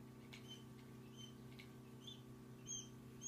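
Day-old quail chicks give soft, high, thin peeps, scattered irregularly and growing louder toward the end, over a steady low hum.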